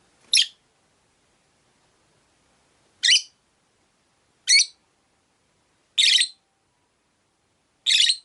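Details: Rosy-faced lovebirds, five caged pets near a window, one giving five harsh, buzzy high chirps spaced roughly one and a half to two and a half seconds apart over quiet.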